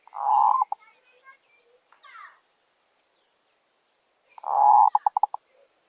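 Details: Zebra dove, wild in the village, responding to a decoy during trapping: a full, rolling coo ending in stuttering notes, faint chirps, then another coo that breaks into a rapid series of short staccato pulses.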